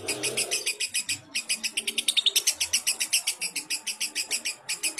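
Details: Lovebird tutoring song meant for other lovebirds: dense, rhythmic chatter of shrill chirps, roughly four per second, with only brief pauses throughout.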